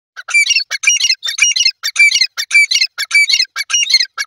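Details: Grey francolin calling: loud, harsh, high-pitched squawking notes repeated rapidly and steadily, almost two per second, filling the whole stretch.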